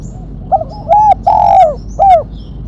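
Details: Spotted dove calling for lure and training use, a sharp crisp style: brief soft lead-in, then two drawn-out coos falling at the ends and a short closing downslur, with faint thin chirps far off.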